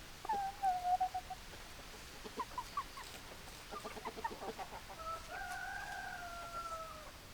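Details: Chickens, hens clucking and a rooster crowing: an opening drawn-out note, a burst of rapid clucks, then a long sustained crow with a steady harmonic tone near the end.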